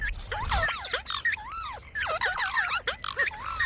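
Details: Talking parrot producing a stream of looping, arched whistled syllables mixed with rasping chatter, rising and falling rapidly like imitated speech.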